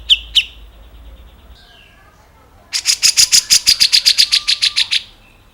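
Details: Grey-cheeked bulbul (cucak jenggot, gebres) song, recorded as a tutor track for other songbirds: two sharp high notes, a short slurred note, then a fast chattering run of about seventeen bright, even notes over roughly two and a half seconds.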